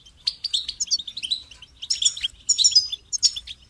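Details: A goldfinch runs through fast tinkling twitters: a longer opening phrase of clear chips, then denser buzzy bursts near the end, all high and bright.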